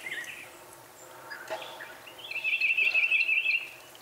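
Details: Northern Cardinal delivering a quick, steady run of repeated notes near the end, after a quieter stretch of faint chirps from other birds.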